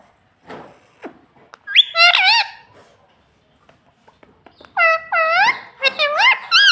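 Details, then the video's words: Parrot kept as a pet saying "mummy" and "papa", with clusters of loud, swooping, harmonic syllables in quick succession, separated by soft taps and a short quiet spell. "parrot talking papa"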